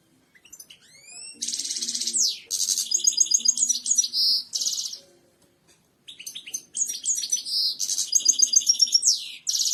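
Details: European goldfinch song, offered for training other birds to sing: dense, fast twittering phrases, buzzy trills and clear whistled notes, repeated in two long bursts separated by a brief pause, with a faint low hum beneath.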